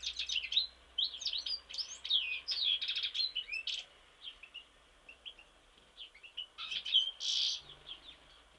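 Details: Goldfinch song recorded in Mostar: quick liquid twitters and chattering trills pour out in bursts, with a harsher buzzy phrase near the end and brief gaps between phrases.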